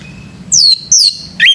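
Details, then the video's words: Morning song of a male orange-headed thrush: three clear, high whistled notes, the first two sliding down, the last rising sharply, over a soft low hum. "SUARA ANIS MERAH PAGI HARI"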